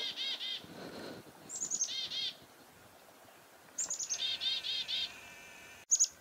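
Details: Chickadee alarm calls given because a goshawk is nearby, recorded on a farm in February 2021: high, thin introductory notes followed by runs of buzzy, harsh 'dee' notes in two bursts separated by a quiet gap.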